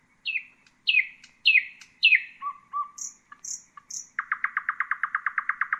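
Common nightingale singing: four sharp down-slurred whistles, a few low fluty notes and high thin ones, then a rapid, rattling series of about a dozen hard notes.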